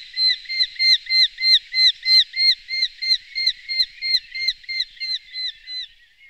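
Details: Eurasian hobby uttering a fast, regular string of ringing, arched notes, around three each second, holding steady then trailing off softer toward the end; quiet background.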